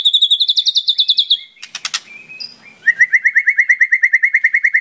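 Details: Energetic white-rumped shama song full of varied phrases, meant as a lure: a rapid high trill slides upward, harsh buzzy notes break in, then fast clear chirps repeat steadily, about five each second, in a clean recording.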